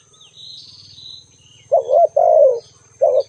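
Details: Spotted dove call: a low warbling coo followed by a longer descending coo and another short coo, after a faint high chirp, with a soft low rumble and thin constant whine.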